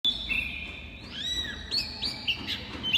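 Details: Oriental magpie-robin singing: clear high whistled notes, some steady and some rising in short slurs, over a faint background hum.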